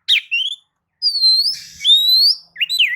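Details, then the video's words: White-rumped shama song used to draw other birds into singing, with long pure whistles sliding upward, separated by short breaks and a brief buzzy burst. "kicau pancingan kacer gacor pagi sore siang malam"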